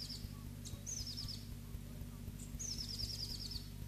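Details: Two captive Black-throated Bushtits give two thin, high-pitched descending trills of rapid twittering notes, separated by a pause, with constant low humming noise underneath.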